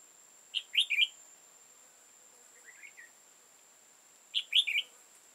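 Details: Red-whiskered bulbul, old wild bird with tall crest and dark bib, trapping with decoy, 15 October 2018: two short bubbly three-note whistled phrases about four seconds apart, a soft lower warble between, steady thin high whine throughout.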